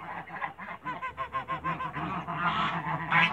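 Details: African and Toulouse domestic geese meeting in a backyard. Nasal honks come in a quick rhythmic series, about ninety-seven a minute, then blur into a louder, harsher clamor near the end.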